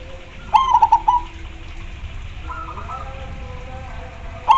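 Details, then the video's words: Zebra dove singing strongly among answering doves. One crisp phrase of quick repeated coos opens, a distant dove replies with a softer phrase, and a new loud phrase begins at the end. "super gacor suara nya bikin pada emosi dan pada nyaut"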